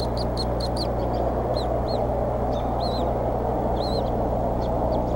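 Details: Evening at the Decorah bald eagle nest, 8 April 2014: mother feeding eaglets, father delivering prey twice in ten minutes. Short, high, slurred chirps come in loose bursts, some doubled, over a heavy low background drone.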